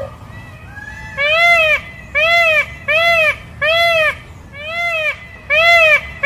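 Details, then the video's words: A peacock gives six loud, nasal, arched honks, each about half a second long, repeated nearly every second over a quiet background. "Peacock Sounds"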